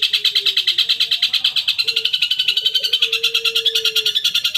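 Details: Long-tailed shrike stimulus recording intended to get a kept cendet singing: a fast, even, pulsing trill held throughout at high pitch, with a soft lower whistled tone sliding in and out underneath.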